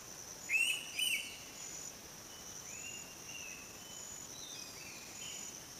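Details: An Indian pitta in Rajaji National Park, Uttarakhand, India, gives a loud, clear double whistle of two arched notes half a second apart, over a steady high insect drone and faint distant bird calls.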